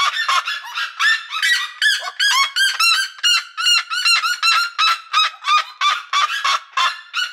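A seriema gives a loud, fast run of harsh, honking yelps, nearly three per second, rising and falling in a frantic, dog-like series.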